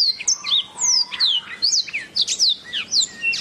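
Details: Canary singing a master song meant for teaching birds: rapid run of bright, high whistled slurs and downward sweeps, delivered in quick bursts with brief pauses.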